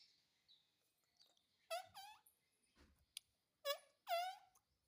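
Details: A rose-ringed parakeet described as saying 'Mummy Papa', heard fairly quietly: two pairs of nasal, harmonic, word-like syllables, each pair about half a second long, separated by faint clicks and soft background noise.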